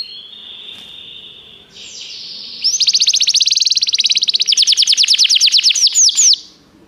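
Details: A canary sings in a recording meant to train canaries. A soft, steady tone swells into a long, fast rolling trill of evenly repeated notes that ends in a few falling sweeps, over a faint low hum.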